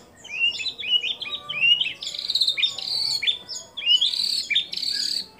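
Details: Energetic white-rumped shama song containing copied calls of other birds: a sequence of sweeping whistled phrases rising and falling, with buzzy bursts between them and no other sounds.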